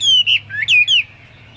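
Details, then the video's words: A brief burst of Hwamei song: a few loud, clear whistled notes sliding down and then up, fading quickly into quiet. "Burung Hoa Mi gacor"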